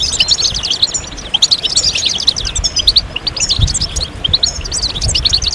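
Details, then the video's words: Group of European goldfinches giving stimulating calls and song to bring males out of moult. Bright twittering phrases and chirps repeat in quick irregular bursts, many birds overlapping. "ستستة وبتبتة جماعية للحسون فعالة في تحفيز الحسون على الخروج من غيار الريش بسرعة"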